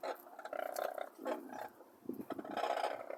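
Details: Brolgas calling near Longreach in Queensland, Australia: rough, buzzy trumpeting notes with a rapid pulsing texture, broken by short pauses, with a few birds sounding together.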